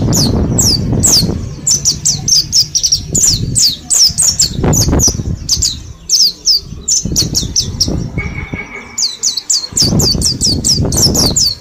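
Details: Group-caged mountain white-eyes of Mount Slamet, ten days learning the ngalas style: continuous rapid high chirps falling in pitch, densely overlapping, with a brief flat whistle around eight seconds and low rustling.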